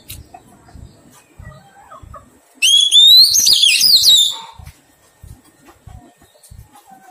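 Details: Wild-caught Oriental magpie-robin in taming sings a single phrase midway: a rising clear whistle turning into fast wavering trills, surrounded by soft regular tapping and faint low notes.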